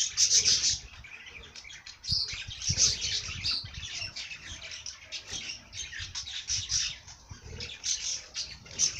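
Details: Continuous high-pitched warbling chatter from a singing bird, with loud chirps at the start and a steady stream of twitters afterward.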